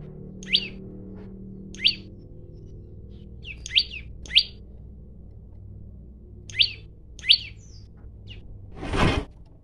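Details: Challenging male olive-backed tailorbird recorded with a phone, giving seven sharp, high, downward-slurred chips at irregular intervals, some paired closely, followed by a loud broadband rushing noise near the end.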